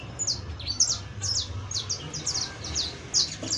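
A Saffron Finch sings bright, high chirping phrases, short clipped notes repeated about twice a second, over a low background hum.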